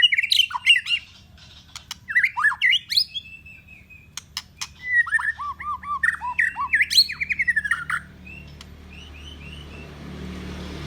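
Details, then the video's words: White-rumped shama song used for training other birds: varied sequence of sharp chirps, slurred whistles and quick trills for about eight seconds with sharp clicks between phrases, then quieter soft notes over a low rumble of background noise. "Mp3 burung murai ..belajaran boss"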